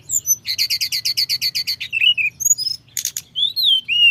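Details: Lively rolling flowerpecker song, locally tledekan gunung, used to rile up rivals: a fast even series of about fifteen sharp doubled chips, then short descending whistles and thin high slurs, over a faint low hum.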